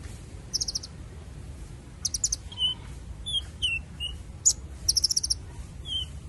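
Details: Loud chirping from a purple-throated sunbird: brief very high stuttering bursts of ticks mixed with short downslurred whistles, spaced irregularly over steady low background noise.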